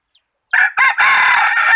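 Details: Crowing decoy rooster used to catch birds: a loud, close crow of two clipped notes followed by a long, strained, even note that runs to the end, with silence beforehand.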